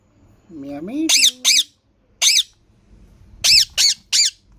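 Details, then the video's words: A green rose-ringed parakeet, a talking bird, gives a short, low, speech-like warbled phrase, then six harsh, shrill squawks in two quick bursts of three. "Green parrot talking natural sound"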